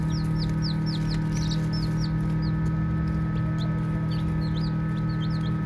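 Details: Baby chicks chirping while playing: high, thin, arched peeps come in quick overlapping bursts from several birds. A steady low mechanical hum runs underneath throughout.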